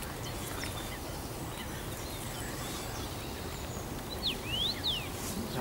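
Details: Common Rosefinch, first-summer male, Bazel, Belgium, 7 June 2015; a single whistled phrase of rising and falling slurs near the end, quieter, over a rushing broadband background noise.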